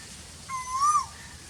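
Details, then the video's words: In the very hot season, a single Asian koel call: one clear, fluting whistle that climbs slowly and then drops sharply at the end, against a quiet background. "Koel bird calling sound 4k in very hot season, koyal ki koo koo ki awaz"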